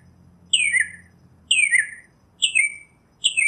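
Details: Northern mockingbird repeating a raspy, downslurred note four times, about one per second, against a quiet background.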